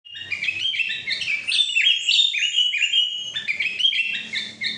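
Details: Sooty-headed bulbul singing in the trilling ngetril style: a rapid, bright run of chirps and short whistled notes that jumps up and down in pitch, with a few longer clear whistles in the middle.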